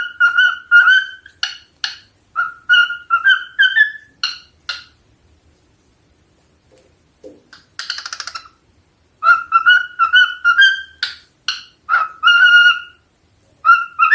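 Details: A pet cockatiel, likely male, sings a run of clear, warbling whistles in quick repeated phrases.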